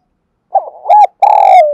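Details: Spotted dove cooing to call and attract other doves: one low phrase of a soft stuttered opening, a rounded coo, then a long, drawn-out tremulous coo that slowly fades.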